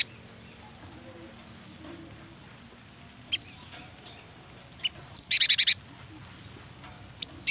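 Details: A young great tit heard as a lure for kept birds: scattered faint ticks, then a high upswept note leading into a short buzzy rattle of rapid pulses, another sharp note at the end.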